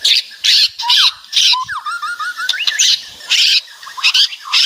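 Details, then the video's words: White-rumped shama singing loudly with lively varied phrases: sharp buzzy bursts around every half second alternating with whistled rising and falling notes and a quick run of short slurred whistles. "Suara Kicauan Keras Murai Batu Meriah Full Isian"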